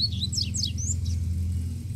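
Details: Free-living double-collared seedeater giving a quick burst of high, descending slurred notes and chips, heard over a loud low rumble like passing traffic.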